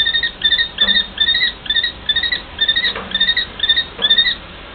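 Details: Common kestrel, a mated pair in a long exchange of calls: short, sharp, slightly rising notes repeated in quick runs of two to three, about ten in under five seconds, over a quiet background.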